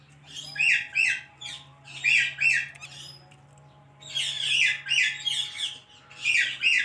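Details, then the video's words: Pet parrot speaking in rapid, grating double syllables, grouped in clusters separated by a brief pause, with a quiet background hum throughout. "Talking Parrot"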